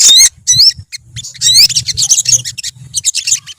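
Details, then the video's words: Olive-backed sunbirds in a colony: sharp high whistles that swoop up and down, then bursts of fast tinny chirps, with faint low buzzing beneath. "BURUNG SOGON / SOGOK ONTONG / SOTONG SUARA TERAPI KOLONI GACOR"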